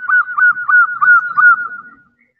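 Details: Zebra dove female calling the male: five or six strong, rolling cooing pulses in quick succession at a level pitch, fading away after two seconds.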